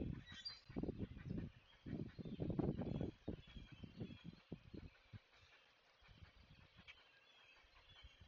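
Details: Alarm from a great blue heron parent warning to stay away, live nest camera, Chesapeake, 20 May 2023: loud, harsh, low rasping bursts repeated for three seconds, then fainter, with quick high ticking notes continuing behind.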